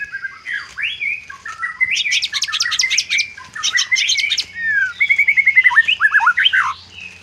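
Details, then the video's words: White-rumped shama with isian, a mimicry-filled song: swooping whistles, bursts of dense high chips, then a quick series of short falling notes and upswept whistles. "vidio murai batu isian"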